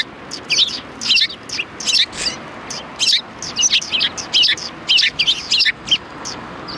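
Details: Several sparrows at a Tenmangu shrine on 4 March 2020 give bright, high chirps in quick bursts, clusters of short notes spaced irregularly through the recording.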